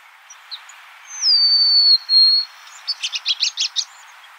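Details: Golden-crowned sparrow song: a descending, then level, pure whistle followed by a quick burst of about seven short, sharp chipping notes, all over a soft background hiss.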